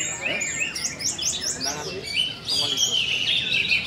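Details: Orange-headed thrush aged four months running fast repeated up-down whistled notes, then a sustained high warbling phrase, steady and loud throughout.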